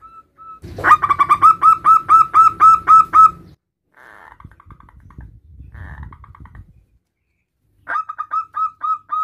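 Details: Male zebra dove, a local bird, calls its mate with a fast run of bright, slightly rising whistled coos, about four each second, followed by quieter rustling and then another burst of the same notes.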